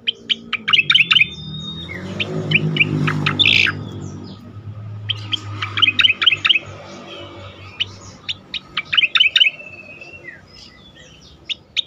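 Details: A striated grassbird sings melodiously, recorded as a training sound for songbirds: clusters of rapid bright chirps with a brief harsh burst, interspersed pauses, over a low humming background.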